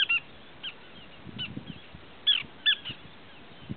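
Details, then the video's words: Small pratincole, a resident wetland species, calling: brief, sharp, high chirps, about eight in four seconds at an uneven pace, over a faint low rumble. "Call of Small Pratincole"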